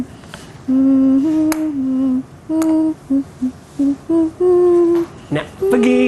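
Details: A person hums a simple wavering melody in a small indoor room, in short sustained phrases broken by pauses, with no animal sounds present.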